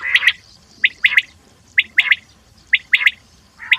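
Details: Common quail calling: short three-note phrases, one note then a quick pair, repeated roughly every second with brief gaps between phrases against a quiet background.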